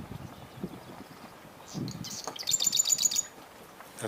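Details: On 29 June 2022, by a roadside marsh with freshly cut vegetation, a Marsh Wren gives a brief, dry, rattling trill of rapid high notes, with a swamp sparrow nearby, a man talking quietly and low road noise behind.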